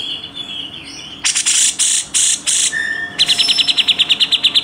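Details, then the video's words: Grey-cheeked bulbul delivering a rapid, harsh rasping burst style known as tembakan rapat besetan kasar: after a faint start, loud scratchy bursts give way to a fast, even run of about twelve sharp clicking notes. "masteran Tembakan Rapat Besetan kasar cucak jenggot"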